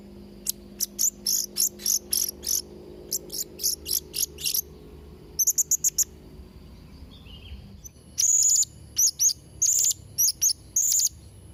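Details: Blue-crowned hanging parrot song used for training young birds: a quick run of evenly spaced, shrill clicks and ticks, a pause, then louder sustained high whistled notes repeated in a rhythmic series.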